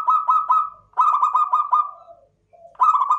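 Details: Repeated quick staccato cooing from a local klowongan zebra dove, rattling phrases on an even pitch broken by a brief drop and pause before the trill resumes.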